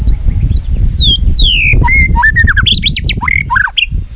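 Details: White-rumped shama in competitive song with tail flicking: a series of clear descending whistled slurs, then rapid rising and falling whistled phrases over a loud low rumble of background noise.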